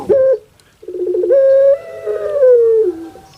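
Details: Home-kept puter pelung dove calling: a short clipped note, a pause, a quick rolling stutter, then a long sustained tone that rises slightly before sliding down, giving a crying-baby quality.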